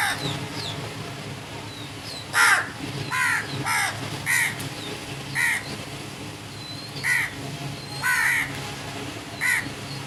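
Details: A run of about ten hoarse crow caws, some paired close together, fills ten seconds, while small birds chirp faintly in the background.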